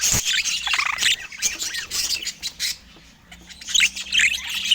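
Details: Several budgerigars in natural Scandinavian light give loud warbling chatter and squawks, pausing into a brief near-quiet stretch with a low hum before the scratchy chirping resumes.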